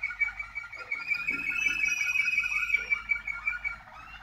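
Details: Waterslager canaries in 2019 delivering a continuous warbled roll, a dense rapid trill held at an even pitch with slight wavering throughout.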